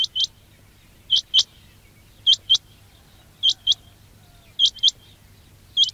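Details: Quail call for luring: crisp paired upswept whistles, each pair spaced about a second apart in a steady, regular rhythm, with a clean background.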